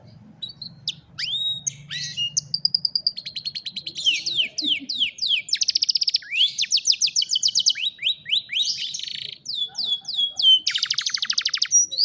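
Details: Singing canary captured on a cellphone, used to train a lazy canary: long varied song of rapid high trills, whistled slurs and buzzy rattles changing tour every second or so, with a faint low hum early on.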